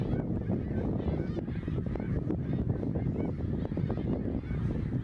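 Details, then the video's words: Huge flock of migrating greater snow geese passing Ottawa, Canada, in fall 2021; constant overlapping nasal honking, with individual rising yelps standing out, all above a strong low-pitched rumble. "Snow Geese Migration Fall 2021"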